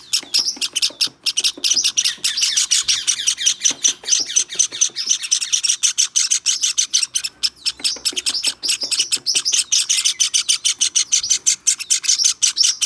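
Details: A long, breathless series of piercing chirps from a hand-tame white Java sparrow chick, recorded 23 May 2021, coming several times a second for nearly thirteen seconds.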